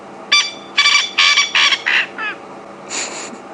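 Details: Male coqui francolin at Djuma Game Reserve repeating one part of his call instead of the 'coqui, coqui' part; six grating, buzzy notes descending and fading, a pause, then another rough note begins.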